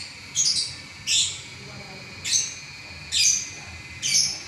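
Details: Champion lovebird singing continuously for eleven minutes without stopping: five separate sharp, high squeaky chirp bursts spaced roughly one second apart over a quiet background.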